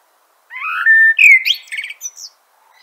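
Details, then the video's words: A single common blackbird phrase: a low rising fluted whistle, a longer held note, then a quick descending slur into thin high twittering. "Bird Song - Common Blackbird"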